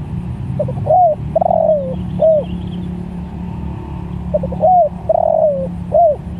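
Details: Spotted dove calling to other doves: two full phrases, each a few soft stuttering notes, an arched coo, a long wavering falling coo and a short closing coo, separated by a pause, over a steady low hum.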